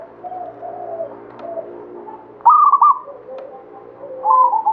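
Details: Local zebra dove of the Banyumili katuranggan type singing actively: soft low coos, then a loud stepped, burbling phrase near mid-pitch after about two and a half seconds, with another loud phrase starting at the end; fainter cooing continues beneath.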